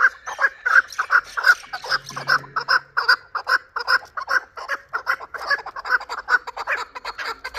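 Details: Chukar partridge from Shurobod, hatched last year, producing a loud continuous series of rasping chuck notes, about two to three per second, with a brief low hum early on.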